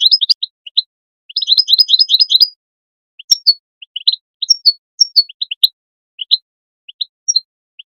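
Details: Calling goldfinch, recording intended to stimulate goldfinches to sing: opening chirps, then a fast liquid twittering run, followed by evenly spaced high chirps and sharp two-note calls, some faint clicks between notes.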